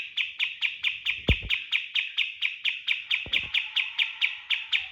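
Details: Lure song of a kapas tembak used to train birds, in the 'tembakan' shooting style: steady rapid volleys of bright, high staccato notes, about three per second, with occasional dull thumps and a faint lower whistle near the end.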